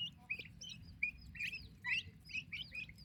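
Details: Young turkey chicks in their mother's care, separate bright rising peeps, some slurred, coming about twice a second from several birds over a faint low hum.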